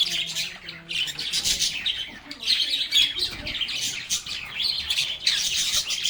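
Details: Lovebirds singing and chatting together, giving a thick wall of overlapping high chirps and warbles with pulsing loudness and a faint low hum at the start.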